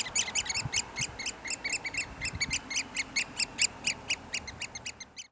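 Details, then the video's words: Displaying Eurasian oystercatchers at Port Carlisle near Bowness on Solway, Cumbria, filmed via a compact camera on a spotting scope: evenly spaced, shrill piping notes repeated about three times a second, ending abruptly. "Oyster Catcher Display"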